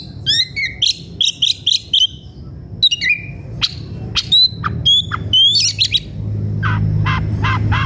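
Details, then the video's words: Excited White-rumped shama singing to challenge a rival. Quick strings of clear whistled notes, rapid trills and downward slurs are followed by repeated lower chirps as background rumble grows. "Suara kacer gocor dan emosi cari lawan tarung"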